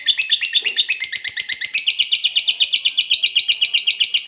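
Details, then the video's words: Lovebird in long 'ngekek' song, fighter style: a fast, even rattle of high, scratchy notes, about four a second, sustained without a break. Clean background. "SUARA BURUNG LOVEBIRD NGEKEK PANJANG"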